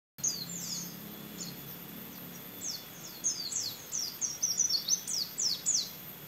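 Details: White-eye singing a canary-imitating song, a trained competition bird: rapid high thin notes and sweeping down-slurred whistles, sparse at first then a dense run of chirps in the second half, over a low steady hum.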